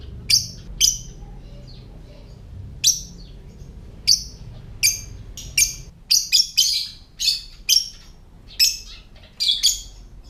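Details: Lovebird ngetik (typing) call, intended to draw other lovebirds into calling and breeding condition: a few spaced, piercing chirps, then a quickening series of sharp high notes tapping out in the second half.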